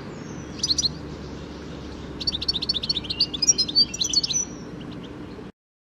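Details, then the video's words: A European goldfinch in a garden gives a brief twittered note, then a longer, rapid run of sparkling high chirps, trills and buzzy slurs lasting over two seconds, against a quiet low hum. "Bird Song ID : European Goldfinch"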